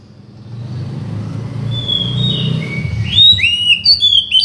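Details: Oriental magpie-robin song used to provoke a silent bird into singing: clear whistled notes, one drawn out and then a burst of quick rising and falling whistles, over a low rumble of traffic.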